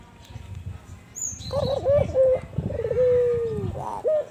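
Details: After a second of low rumbling background, an albino Barbary dove (burung puter) starts cooing. Quick stuttered notes lead into a long, steady, mellow coo that slides downward, with a short hiccup note at the end. Kuwor besar style.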